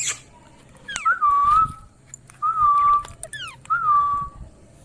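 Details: Ringneck parrot, a rose-ringed parakeet, making three long level whistles with a quick upward flick at the start of each, spaced about a second apart, plus a few short descending squeaks between.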